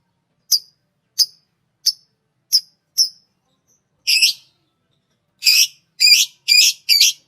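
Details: A green Fischer's lovebird gives five thin, sharp chips at steady intervals, then switches to broader, harsher rasping chirps in a quickening series.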